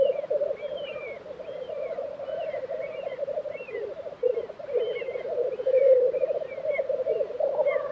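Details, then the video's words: Black grouse lek, Tiveden, Sweden, April 2023. The continuous low bubbling chorus carries on beneath many quick upslurred chirps and twitters from other birds throughout. "Black Grouse Lek - sound recording"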